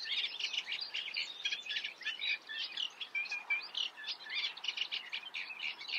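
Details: A reed warbler's steady churring song: scratchy notes repeated in twos and threes without a break, with an occasional clear whistled note, against faint background noise.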